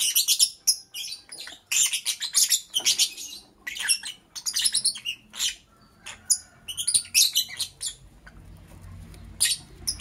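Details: Morning chirping from a lovebird: dense runs of shrill, rapid high chirps in bursts separated by brief pauses, with faint low background hum.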